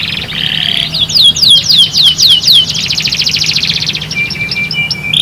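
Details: Canary singing as therapy to make other canaries sing sooner: a buzzy trill, then a series of loud repeated downslurred whistles, a dense rattling trill, and thin high notes near the end, over a low hum.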